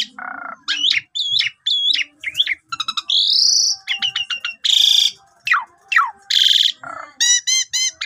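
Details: Lure song of an Asian pied starling with long phrases and pumping style: a low buzzy note, paired looping whistles, a rising whistle, rapid clicks and loud harsh rasps, ending in stacked trilled notes.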